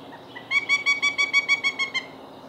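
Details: A young male Pileated Woodpecker, the smaller of two brothers near fledging at the nest cavity, 8 May 2017, gives his first real call after studying his brother's: about ten loud, nasal, evenly spaced notes, roughly seven per second, over a faint hum.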